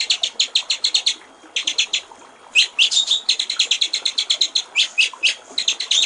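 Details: White-rumped shama water-trickle song for training songbirds: a fast run of bright repeated notes, a brief pause, a few upward-sweeping whistles, then a dense rapid series of high chips to the end.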